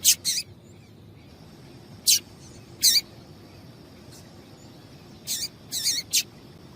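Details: Female rusty-collared seedeater calling to stimulate the male to sing: short, sharp, high chip notes, single or in quick pairs, scattered irregularly with quiet gaps between.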